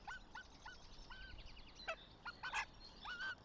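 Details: Northern goshawk at its nest in Tartu, Estonia, on 26 April 2025: harsh, harmonic notes repeated in a quick, uneven series, then louder clustered bursts, with small songbirds twittering behind.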